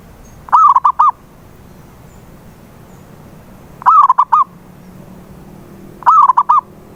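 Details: Zebra dove used as a lure to make a silent dove sing: three bursts of rapid warbling coos around one kilohertz, each a quick run of four or five notes, spaced about three seconds apart over a low background hum.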